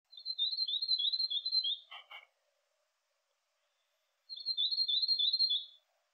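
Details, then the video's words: A tomtit (miromiro) in winter in the Maungakotukutuku Valley, New Zealand, gives two high, thin, rapid trills, each about a second and a half long, separated by a pause, with a brief dull clatter between them. "Tomtit / Miromiro Glimpse & Birdcall in Winter"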